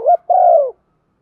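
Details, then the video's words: Spotted dove decoy bird giving a calling coo in the thúc vấy style with a single-ending phrase: a short wavering double note, a brief gap, then one longer, lower, slightly falling coo. "chim cu gáy mồi cườm thòng thúc vấy gáy gọi một hậu giọng hấp dẫn"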